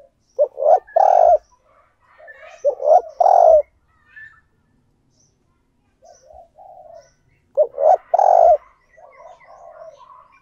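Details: Spotted dove kept as a decoy, cooing to lure wild doves: three loud, low, hoarse coo phrases about three seconds apart, each of two or three rolling notes, with fainter cooing from other doves between them.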